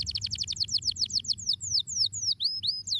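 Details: Canary song: a fast trill of many high, downward-sweeping notes at about four per second, slowing into longer whistled slurs, clear over faint low background hum.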